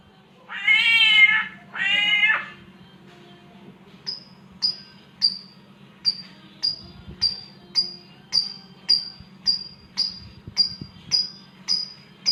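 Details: A samyong imitates a cat calling to mate: two rising meow-like wails, then a long steady series of short, sharp, high chirps, roughly two each second.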